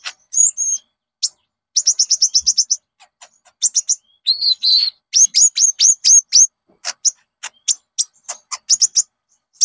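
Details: Konin (olive-backed sunbird) lure song for prompting a kept bird to sing. High chips come in fast runs, then a stretch of bright, slightly lower twittering notes, then scattered sharp ticks.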